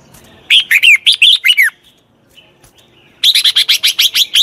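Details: Red-whiskered bulbul song used to train a wild-caught bird: two bursts of rapid, warbling whistled notes, each phrase a quick run of about six to eight bright, bouncing syllables, separated by a short quiet gap.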